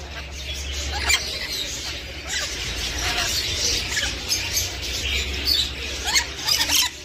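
Rainbow lorikeets chatter in harsh, high screeches and squeaky twitters, overlapping continuously, with a low steady hum underneath.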